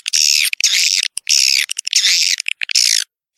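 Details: Lure call for drawing young swiftlets into a new nest house: four rasping, hissy screeches of about half a second each, with sharp clicks between them.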